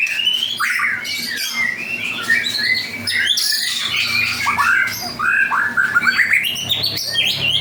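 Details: Actively singing 'panda' white-rumped shama mixes harsh squawky notes with fast chattering trills and short upswept whistles in a dense, varied run.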